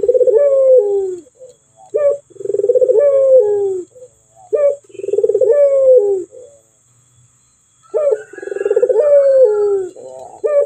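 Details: Male Barbary dove cooing in a clear voice: low, rolling, throaty coos in long phrases, each ending in a short rising note, with pauses of about a second between phrases and a faint steady high hiss behind.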